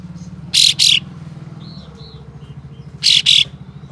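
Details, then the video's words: White-shouldered triller with rough, spicy rasping calls aimed at provoking other trillers to fan their tails; two pairs of loud scratchy bursts about two and a half seconds apart, soft whistled notes between, low engine-like hum behind. "Kapas Tembak Buka Ekor Full Besetan Kasar Pedas Untuk Memancing Katem Lain Agar Bukor"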